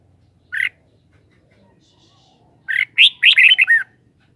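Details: Red-whiskered bulbul, a kept bird, singing: one short chirp, then after a pause a quick run of five or six loud, clear, warbled notes wavering up and down over about a second, on a quiet background.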